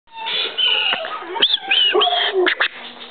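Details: Bird; whistles; imitating a person's whistling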